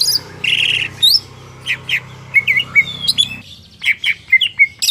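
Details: Singing greater green leafbird bought at a market, mixing a buzzy rasping burst with crisp high chirps and twisting slurred whistles, steady low background hum throughout.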